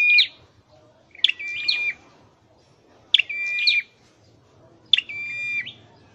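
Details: Scarlet-headed flowerpecker in a cage during song training: four separated phrases, each a sharp high chip run into a short steady whistle, spaced about two seconds apart in quiet surroundings.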